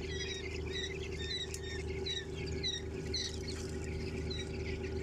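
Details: Quail chicks twenty days old, kept indoors at home in India, make quick high peeping chirps in loose irregular series, some paired, above a continuous low electrical hum.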